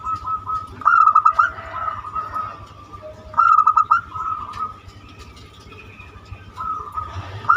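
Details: Zebra dove, local banyumili type, with a song described as unique and used to provoke other doves to sing: repeated bursts of quick, ringing coo notes, about three phrases, with a continuous tone and low hum behind.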